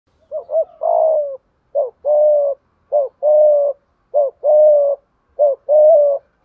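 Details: Spotted dove decoy bird giving the 'thúc gù' coo used to train wild-caught or long-kept doves that refuse to coo; five phrases, each a quick doubled upswept note then a longer level, slightly falling coo, steadily repeated.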